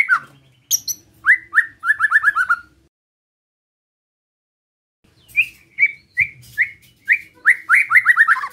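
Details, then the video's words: White-rumped shama singing a relaxed besetan-style song used to provoke other shamas: bursts of quick, sweet whistled notes repeated in rapid runs, a silent pause of about two seconds, then another stuttering whistled series. "Suara Besetan Santai Mancing Emosi Murai Lain | PANCINGAN MURAI BATU"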